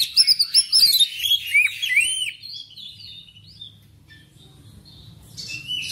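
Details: Black magpie-robin song for encouraging kept birds: a quick burst of sharp, repeated whistled notes and arched slurs about four per second, then near silence with faint low hum before a last buzzy phrase.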